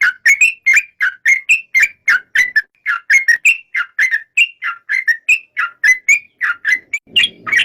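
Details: Yellow-vented bulbul (trucuk) giving a steady series of short whistled notes, about three per second, each bending up or down in pitch, with a little faint rustling near the end.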